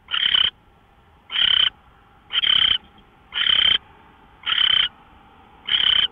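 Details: Owl heard at 5:27 AM, 24 March 2013, repeating six rough, breathy screech-hisses of about a third of a second, nearly evenly spaced around once per second, with a faint steady hum behind.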